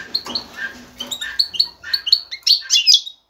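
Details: Male European goldfinch, ready to breed, singing excitedly to attract a female for mating and nest building; quick liquid twittering notes and short rising chirps, growing louder and denser toward the end.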